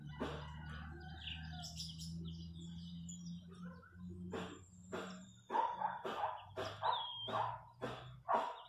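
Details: Wild chachalacas (guacharacas) in the countryside near a house give loud, harsh, raspy calls repeated about twice a second, over a steady low hum, with lighter bird chirps early on.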